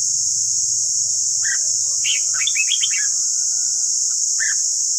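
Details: Red-whiskered bulbul song played for voice training of birds: a few short bursts of warbled, slurred notes around the middle and end, over a steady high hiss and a low hum.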